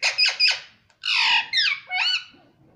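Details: Pet ringneck parrot saying "mummy" and "papa" indoors: three quick harsh clipped squawks, a pause, then three longer nasal, wavering syllables that slide downward, in a quiet small room.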